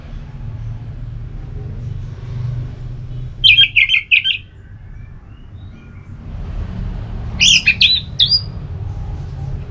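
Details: Ngeplong song of an orange-headed thrush, played to provoke another bird into replying: two short bursts of clipped, high whistled notes, roughly four seconds apart, over steady low rumble.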